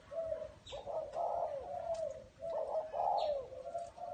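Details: A spotted dove in a small garden gives a run of mellow, low coos. Longer burred notes alternate with shorter ones in an uneven rhythm, and faint high chirps from other birds sound in the background.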